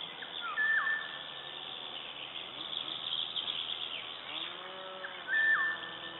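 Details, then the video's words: Eurasian golden oriole singing in Latvia on 16 May 2012, two loud fluted phrases near the start and end, each steady then falling, amid continuous twittering of other birds and a low hum. "Oriole sings"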